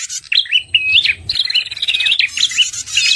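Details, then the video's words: Lure sound of red-headed prinia, used as bait for birds slow to respond after moulting: quick rising-falling chirps tumbling over each other, a high buzzy trill running through the middle, busy and unbroken. "suara pikat prenjak paling ampuh, simpanan lama dari pemikat terdahulu cocok untuk pancingan prenjak"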